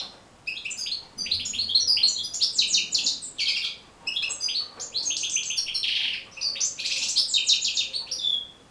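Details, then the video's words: European goldfinch pouring out a long, fast song meant for teaching goldfinches to sing: cascades of tinkling chirps, buzzy trills and slurred whistles in several loud phrases with short gaps. "بتبتة جد مهمة لتحفيظ و تحفيز طيور الحسون على التغريذ"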